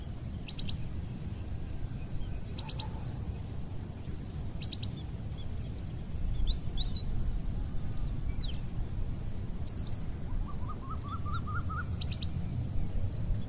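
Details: Wild red avadavat, an introduced species of Asian origin, recorded in Parque del Sureste, Madrid: thin high chirps repeated about every two seconds plus a brief rising trill, over a steady low rumble.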